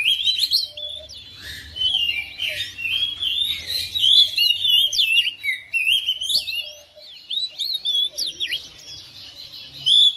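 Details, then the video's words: Home-kept oriental magpie-robin quickly responding to another bird and singing energetically: a long, unbroken stream of high whistles, sharp up-and-down slurs and twittering phrases, varied throughout. "KACER RUMAHAN RESPON NYAUT IKUT GACOR"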